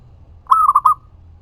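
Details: Zebra dove, local bird, singing a lure phrase meant to provoke other doves to answer: one short cooing phrase, a long slightly rising note followed by two rapid rolling coos, clear and close.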